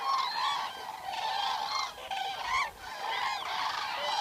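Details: Eurasian (common) cranes recorded in the wild during a night-long session: a flock calling loud, rolling trumpeted notes that overlap continuously, several birds bugling at once in a dense, echoing chorus.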